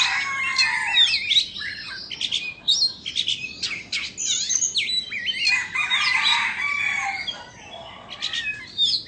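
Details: Indonesian Oriental magpie-robin sings as it dances with its tail spread, pouring out a rich, fast medley of slurred whistles, buzzy trills and crisp chirps with barely a pause throughout.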